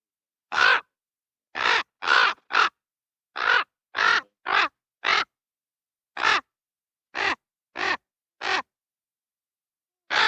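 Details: Raven giving a run of harsh, hoarse croaking calls, about thirteen short rasping bursts at uneven intervals over ten seconds, each roughly a quarter-second long, against an otherwise silent background.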